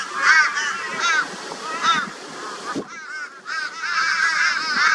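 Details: Crows in a flock tormenting a barn owl, Brisbane, Australia, 22 February 2022; harsh, wavering raucous caws rise and fall irregularly, with a short lull near the middle before the chorus builds again.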